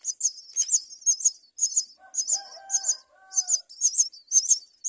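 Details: Common myna mother feeding her chick; harsh high buzzy chattering bursts repeated about twice a second, with a few lower whistled tonal notes in the middle.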